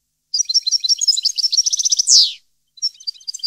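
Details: 2015 goldfinch song: a fast chattering phrase of varied high twitters rising into a short trill and a loud grating downward buzz, followed after a brief gap by more scattered twittering.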